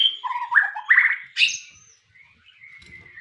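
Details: White-rumped shama singing: a run of clear, low whistled notes rising in steps, a sudden loud buzzy burst, then a long steady higher whistle that fades over a quiet background.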